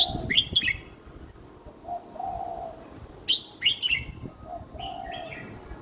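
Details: Young red-whiskered bulbul kept in a cage, singing a simple copyable song style: two clusters of rapid, bright whistled notes separated by a pause, with softer lower drawn notes between them.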